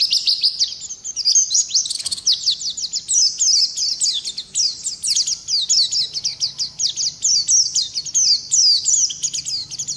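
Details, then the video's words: Continuous high rolling twitter of a ngalas Oriental white-eye, gacor ngerol style for masteran tutoring: a fast, even trill of tiny repeated notes sustained for ten seconds, with one brief click near the start. "Pleci Ngalas Gacor Ngerol Durasi Panjang"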